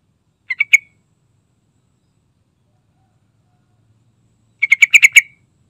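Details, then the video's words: Yellow-vented bulbul with two bursts of song about four seconds apart: first a quick three-note phrase, then a denser chatter of about six clipped, bubbly notes, with silence in between. "Suara Rayuan Trucukan Gacor Santai Bongkar Isian"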